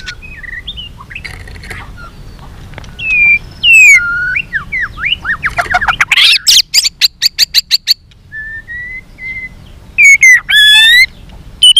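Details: White-rumped shama in fighting song with many voices: soft whistles and slurs, a loud harsh burst with rapid clicks, then clear long whistles.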